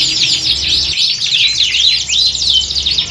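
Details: Brief burst of massed canary song, a training recording imitating a singing contest; swift looping whistles and high twittering trills overlap, low hum briefly drops out near the first second.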